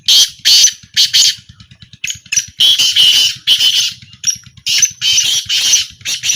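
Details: Black francolin in a small calling trial from 2025, giving harsh, grating, high-pitched bursts in short rhythmic runs of two to four notes, with a faint low pulsing hum beneath.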